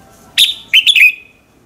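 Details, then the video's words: Red-whiskered bulbul singing in the morning, a lure to make other birds sing: one phrase of three sharp, bright whistles, the last sliding down and fading. "luyện giọng chào mào hót buổi sáng, Hót hay nhanh lửa"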